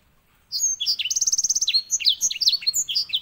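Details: White-rumped seedeater, known locally as edel sanger, singing a master song used to train canaries: rapid, high twittering notes sliding up and down, with a fast, even buzzy trill partway through.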